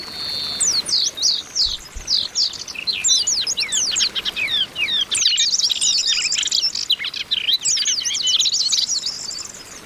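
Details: Several female Oriental white-eyes calling to rouse males: nearly ten seconds of busy, overlapping high chirps, trills and short whistles, with a brief click midway.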